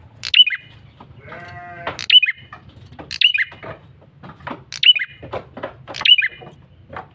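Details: Male bar-winged prinia calling persistently as a lure, bright clipped chirps at irregular one-to-two-second intervals, with scattered softer ticking notes and a short nasal harmonic sound.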